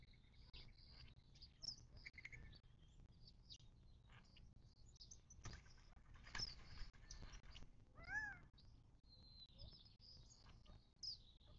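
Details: Desert watering hole in the western Mojave, southern California, near Joshua Tree National Park, 19 March 2024. Scattered faint chirps over a low rumble, with one louder arched harmonic call late in the recording.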